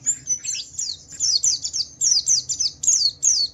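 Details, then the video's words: Javan white-eye, Wiklus Wiksar type, singing loudly to provoke other white-eyes: very high, clear downslurred chirps repeated in quick runs, each note sliding sharply downward. "Suara burung Pleci Wiklus Wiksar memancing Pleci lain cepat cepat bunyi gacor"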